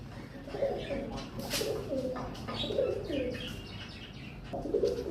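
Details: Several domestic pigeons at a rooftop pigeon farm coo together while being fed and running about, with low, throaty, rolling notes that overlap and repeat.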